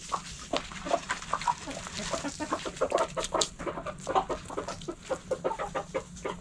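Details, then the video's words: Backyard hens in a coop clucking steadily: short, dense, repeated clucks come several per second in an uneven rhythm, with a faint steady low hum beneath. "Backyard Chickens In The Coop Relaxing Video Sounds Noises Hens Clucking Roosters Crowing!"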